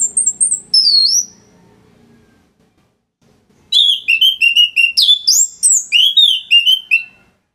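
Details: Orange-headed thrush (anis merah), a kept bird from northern Bali, singing to train other songbirds: high thin whistles, a pause, then a fast run of looping, slurred notes repeated about three times a second.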